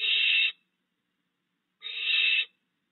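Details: Barn owl at a yard owl box on the night of 22 June 2022, owlets fledged and father still delivering prey. Two harsh, breathy screeches, each about half a second long, spaced nearly two seconds apart, otherwise silent.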